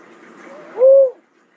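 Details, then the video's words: Cuckoo-dove uttering one low, mellow arched note, steady in pitch at its peak, after a faint hum of background sound. "cuckoo dove call sound"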